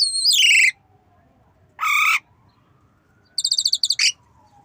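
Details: Black-winged myna learning to imitate a cough: harsh, nasal squawks rich in overtones, a second raspy note, then a fast stuttering series of clipped notes ending in a short squeak, over quiet background.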